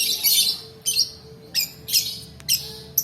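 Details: Lure recording of a long-tailed shrike 'roll' song for tutoring and prompting quiet birds to sing: loud rasping high bursts separated by short gaps, about two bursts per second.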